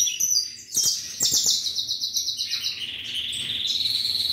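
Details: Ultramarine grosbeak at a breeder's, singing high buzzy trilled phrases that slide down and level off, with sharp clicks and thin chirps of other birds around it.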